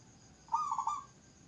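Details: Zebra dove giving a brief rolled coo, three fast throaty notes joined into one smooth phrase of about half a second, over low constant background hiss.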